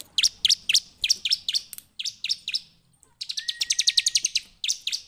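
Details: Ciblek, the bar-winged prinia, singing busily: clusters of sharp, high, downslurred chips, a pause, then a fast rattling trill of even high notes before more chips.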